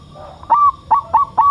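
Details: Bangkok zebra dove, a caged crossbred bird under a mental test, gives four short cooing notes, each starting with a sharp tick then holding a steady tone, over a faint background hum.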